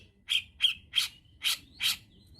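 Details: Grey-cheeked bulbul used as a tutor bird to trigger singing, uttering five loud, harsh, squawking notes spaced about a third of a second apart, with a faint thin whistle trailing between them.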